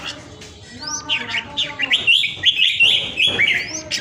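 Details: Vietnamese red-whiskered bulbul, a caged bird praised for its soaring, 'ground airplane' strength of song: after a quiet start, a rapid run of rich, lilting whistled notes rolls on for about two seconds.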